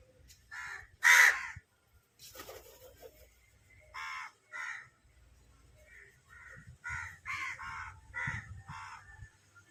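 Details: Hungry crow uttering repeated raspy caws, some single and some in quick runs toward the end. A sharp loud knock and a brief noisy rustle break in early on.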